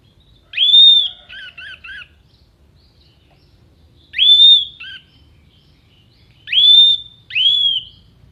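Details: Orange-headed thrush with clear, piercing upslurred whistles, the first followed by three quick doubled notes, repeated three times at intervals of about three seconds, part of a mimicry song for contest birds.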